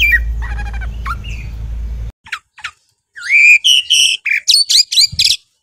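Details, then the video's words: Oriental magpie-robin (kacer) from a fanciers' collection: scratchy chatter over a low rumble, then after a brief pause a series of clear whistled notes and short sharp chirps delivered in a quick burst. "Kompilasi Suara Burung Kacer Berkicau Gacor"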